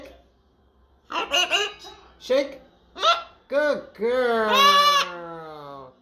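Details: A pet female macaw, talking constantly with her owner, chatters in human-like syllables: five quick voiced bursts, then a long drawn-out word sliding downward in pitch, in an otherwise quiet room.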